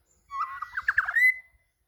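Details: White-rumped shama, said to be seeking a rival, giving a rich warbled phrase of varied whistled notes that rises into a clear sustained whistle near the end.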